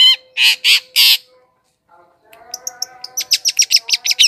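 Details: Long-tailed shrike used to lure wild birds: four loud, harsh, grating notes, a short silence, then a quickening series of thin high chips and ticks over a constant hum.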